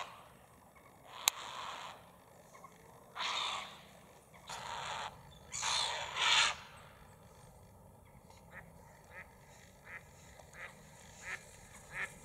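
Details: Agitated grey heron harassed by calling gulls that swoop low over its head: several hoarse, broadband squawks cluster in the middle, then shorter, sharper calls follow at regular intervals, with a single sharp click near the start.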